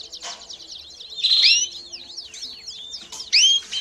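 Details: Canary calling and singing, presented as training for young birds; a run of quick swooping chirps and slurred whistles, with two louder upward-curving notes standing out.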